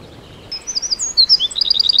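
A small bird sings high, thin slurred whistles that break into a quick run of repeated sharp chips, about eight in the final half second.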